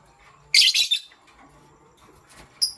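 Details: Pastel gray lovebird, kept as a pet, chirping in the morning: one harsh, buzzy burst of high chirps lasting about half a second, then quiet and a short sharp chirp near the end.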